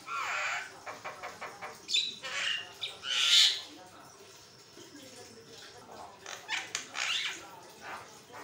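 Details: Harsh chattering song of a Javan myna, meant for training other birds to sing; loud squawky bursts and a shrill squeal in the middle, then quieter raspy notes.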